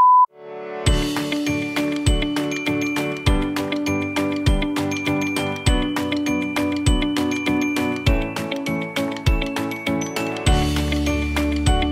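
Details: Bright, jingly music with steady beats and bell-like tones, with no animal voice.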